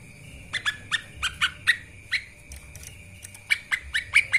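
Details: Lesser green leafbird song meant for training birds: spaced sharp downslurred chirps, some clearer whistled notes near the end, with a steady high tone behind.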